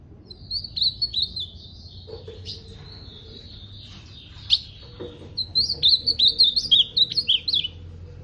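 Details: Two ultramarine grosbeak phrases of bouncing, slurred high whistles, the second longer and louder, separated by softer thin notes and a faint lower tone.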